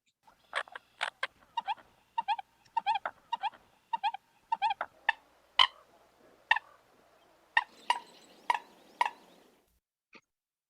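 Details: American Coot giving its chatty, grunty "burr", "hiccup" and "pop" calls: a rapid series of short grunting, popping notes, about two per second, then louder spaced pops over a faint background hiss.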